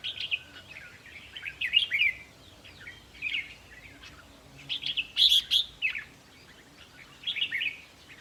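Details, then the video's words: Red-whiskered bulbuls singing, recorded for decoy trapping and played to excite other birds: short bright chattering and warbled phrases in bursts of a second or less, with gaps between them, over a faint steady background hiss. "ต่อเพนียดนกกรงหัวจุกแก้มแดง เปิดให้นกฟัง ยั่วให้นกคึก"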